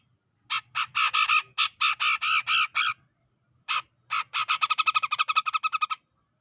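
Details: Grey-cheeked bulbul of Sumatran forest origin, around Medan, chattering in the ngepik manner for training caged birds: spaced, harsh rasping notes, a short pause, then a quickening series of buzzy notes that runs into a rapid rattle.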